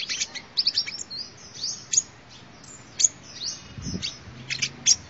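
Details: Sunbird song as lure audio: scattered high chips and short rising sweeps in irregular bursts, with a soft low thump partway through.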